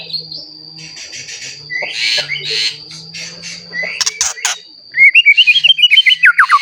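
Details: White-rumped shama kept as a lure to provoke other shamas into song: after a stretch of faint murmuring and knocking noises, a loud burst of quick rising-and-falling whistled notes, with a continuous thin high tone behind.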